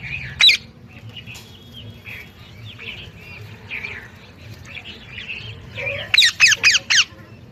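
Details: A single harsh parrot squawk opens, followed by soft mixed chirping, then a burst of four rapid, raspy squawks near the end.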